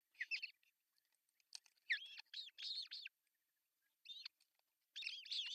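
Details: Ospreys at a Finnish artificial nest on June 10, 2024, while the male brings a big fish for breakfast. Bouts of high, arched, yelping whistles come in clusters separated by short pauses.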